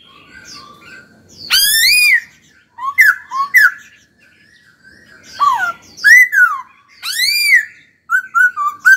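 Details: Laughingthrush in full song while being trained: loud, ringing, arched calls alternate with clusters of short whistled notes and downward-sliding whistles, delivered in bursts with brief pauses between.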